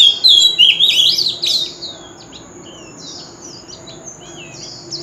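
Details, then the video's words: Oriental magpie-robin with a wild-type voice, singing a contest lure song: a short, loud burst of twisting high whistles lasting under two seconds, then only faint background hiss. "Chòe than hót giọng rừng l Tiếng chim chòe than mồi"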